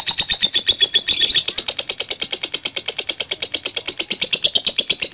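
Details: Continuous ngekek from a lovebird, fast repeated high chattering pulses carried evenly for about five seconds, dipping a little early on and then holding level.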